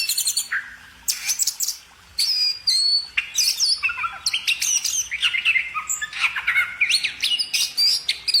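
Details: Energetic bird song with harsh clicking notes, bright high whistles and quick chattering runs. A brief pause comes early on, then a steady busy flow.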